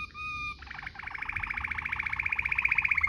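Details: Waterslager-style canary song used as a tutor recording for training canaries: a brief steady whistled tone, then a fast, even pulsed roll that climbs gradually and grows louder, sung in the closed-beak rolling manner.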